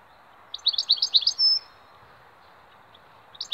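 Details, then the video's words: Goldfinch song phrase of fast, liquid twittering notes closing with a short buzzy trill, then a pause and the start of another twittering burst; faint steady hum beneath. "Sharpe Switty goldfinch"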